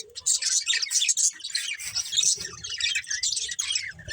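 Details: Budgies chirping together in a steady, dense stream of high, bright twittering and chattering notes, with rapid overlapping chirps and a faint low hum beneath.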